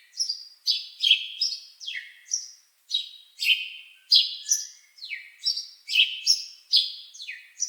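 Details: Continuous bird chirping: crisp, high-pitched notes that drop quickly in pitch, closely packed and repeated without pause, with nothing else audible behind them.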